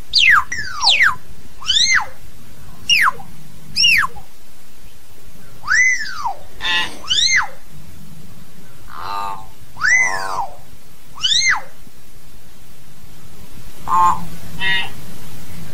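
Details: Common hill myna calling the flock with loud, ringing whistles that arch up and down, about one every second or two, mixed with harsher nasal notes over a low background hum.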